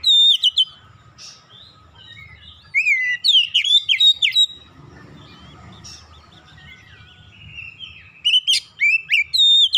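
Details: Oriental magpie-robin song used to coax other birds into singing: rapid clusters of sharp whistled chirps, a quieter middle stretch with low rumble, then a final fast burst of loud notes.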